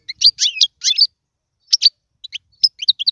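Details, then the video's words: European goldfinch, song for training young birds: a few short twittering bursts of bright, tinkling notes separated by silent gaps, with a quick cluster of chirps at the end. "اسمع المقنين واعطي رايك فيه,افضل تغريد لتعليم الفراخ"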